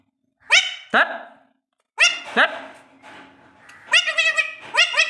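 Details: A talking Alexandrine parakeet produces sharp paired squawks, then a run of rapid, nasal, speech-like syllables. A faint tonal hum is heard in the middle.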